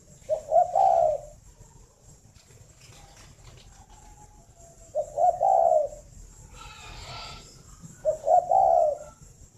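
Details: Caged spotted doves at a breeding bird farm in Ba Vì, Hanoi, Vietnam, in the morning: three low cooing phrases, each a short stuttered note then a longer rolling coo, spaced about every four seconds, over a faint steady hum.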